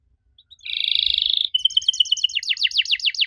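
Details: Song of a canary, played so that young canaries answer: after two soft notes, a long buzzy roll, then a fast chatter of repeated notes and a series of steep downward-sweeping chirps.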